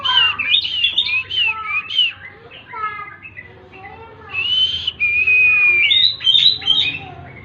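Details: Oriental magpie-robin (kacer) tembakan song: rapid tumbling run of varied whistles and chirps, a quieter middle stretch of softer harmonic notes, then long clear whistled notes and a final quick flurry.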